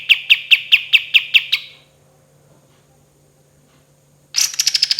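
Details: Lively singing kapas tembak in a long training recording featuring "tembakan" shots: a run of eight sharp, evenly spaced whistled notes, a pause of over two seconds, then a quicker burst of higher, crowded notes.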